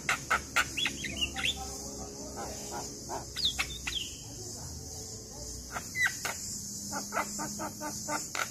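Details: Black-winged myna master song, used for training young mynas that are reluctant to sing; a series of harsh clicking and rasping notes with brief whistled slurs, irregularly spaced, over a steady high insect-like hiss throughout.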